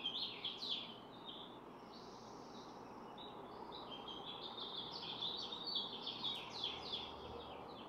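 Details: Barn swallow (Hirundo rustica) pair at a nest holding four eggs, parents taking turns incubating since June 6; quick, scratchy twittering chirps in bursts, about two per second, over steady background hiss.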